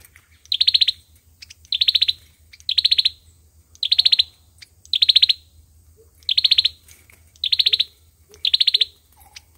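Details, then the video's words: Olive-backed sunbird singing its fighting song, a short rapid trill of about six bright ticking notes, repeated roughly every second with brief gaps, over a low steady rumble. "sâu dừa hót đấu"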